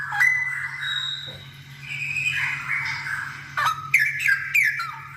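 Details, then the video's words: Straw-headed bulbul singing strongly for other birds of its kind to learn from: mellow warbled whistles and a rougher, scratchy middle passage, ending in quick bright bubbling notes, with a low background hum. "Suara cucakrowo gacor"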